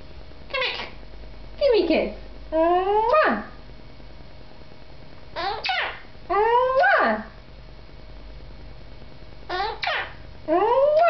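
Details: Talking pet male monk parakeet indoors, repeating learned human phrases: bursts of harsh, harmonic syllables that sweep upward, coming in short clusters about eight times over eleven seconds, separated by quiet pauses.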